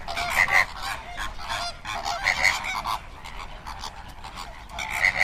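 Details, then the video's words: A large flock of flamingos, colonial birds of warm wetlands, gives goose-like nasal honks in quick pairs, repeated every two seconds or so, over the steady murmur of the calling flock. "Flamingo bird facts and sound"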